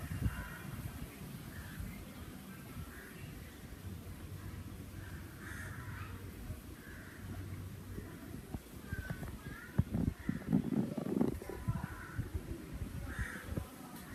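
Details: Crows calling outdoors in a loose series of moderate hoarse caws, repeated irregularly about every second or two, over continuous low rumble with some louder knocking and rustling noises partway through.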